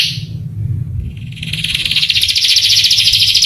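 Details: Canary masteran song, played to excite young canaries into answering and singing: a brief high chirp, a pause with low rumbling background, then a fast trill rising in loudness with rapidly repeated notes.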